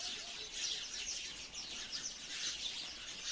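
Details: A sparrow chorus of rapid, high, overlapping chirps that stays steady and busy for the whole stretch.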